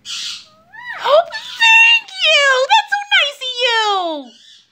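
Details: Pet Lutino ringneck parakeet talking indoors: a run of high, speech-like mimicked syllables with wavering, downward-sliding tones over about four seconds, ending in a falling drawn-out note.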